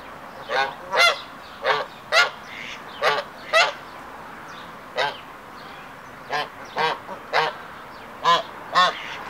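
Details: Hybrid Canada geese in the triumph ceremony, the male's courtship display before the female during the second stage of pair formation: a rapid series of loud, nasal honks, roughly two each second, with soft background chatter.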